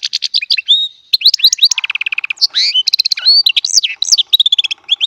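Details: Young baster hybrid delivering goldfinch-type song, a continuous rapid run of bright twittering notes, sweeping whistles and short buzzy trills, with no break.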